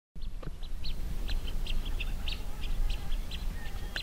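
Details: Blue-winged Teal near Cincinnati, Ohio, give thin, high peeping whistles, several short notes a second in loose series, over a heavy low rumble of wind or handling noise.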